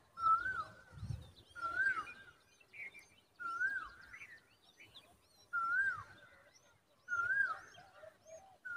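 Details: Common babbler chicks in a dense tree give a drawn-out, wavering whistle, rising then falling, about every two seconds, with faint higher chirps between the calls.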